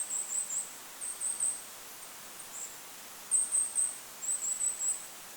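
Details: Goldcrest calling in a forest by a lake: several rapid series of three or four very high, thin, lisping notes, clear above soft wind noise.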